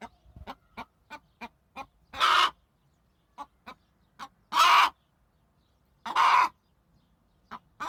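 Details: Domestic hen kept for raising: three loud, harsh, noisy squawks about two seconds apart, with soft clicking and tapping sounds between them.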